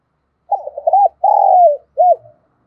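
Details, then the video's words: Luring wild doves, a decoy spotted dove coos a three-part phrase: a quavering, stuttered first note, a long, smooth, falling middle note, and a short, rounded closing coo, all clear and close. "tiếng chim cu mồi tgucs rút bổi, bổi nghe ức chế phải gáy theo, chim cu gáy kích bổi hiệu quả"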